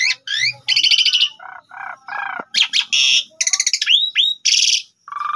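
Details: Asian pied starling song used as a morning lure to call a rival: loud harsh buzzy bursts alternate with lower rattles and rising whistled hooks, delivered in fast energetic phrases.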